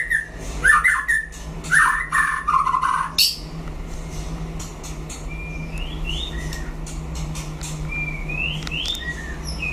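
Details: White-rumped shama singing in a duel with a rival, a burst of loud, rapid warbled phrases for about three seconds, then fainter short rising whistles spaced out over a steady low mechanical hum.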